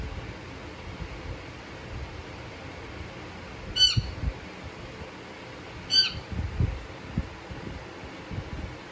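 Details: Pet Indian ringneck parakeet making soft vocal noises indoors: two brief, harmonic squawk-like calls about two seconds apart, with faint low room noise and small bumps between them.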